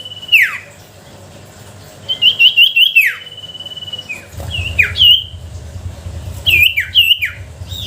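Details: Sooty-headed bulbul lure song for provoking reluctant bulbuls: sparse whistled notes with steep downward slurs, a short trill of chirps midway, and low rumbling noise in the later part.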